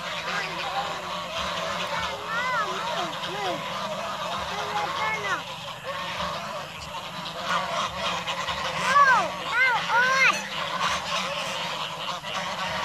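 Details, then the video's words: Geese in the evening giving loud, nasal honks in irregular bursts, several overlapping with rising-falling strokes, strongest around the ninth and tenth seconds, with a low hum and faint voices behind. "Amazing Song Of Beautiful Goose In The Evening"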